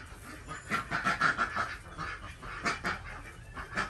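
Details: Desi ducks on a village farm in Andhra Pradesh during morning egg collection: a flock gives rough, nasal quacks in quick uneven bursts, several per second, rising and falling in loudness, with no other clear sounds.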